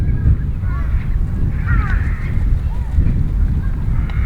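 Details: Wild Eurasian wigeons calling at the Nisanzai burial mound, a World Heritage site in Japan. A few scattered whistles give way to a brief, clearer burst of whistling midway. Loud low rumbling noise persists throughout.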